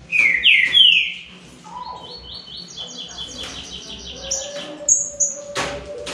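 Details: A trio of green-winged saltators sings in a contest. Two bold, descending whistles open the passage, followed by a fast series of high chattering notes and thin, very high whistles, with one loud click.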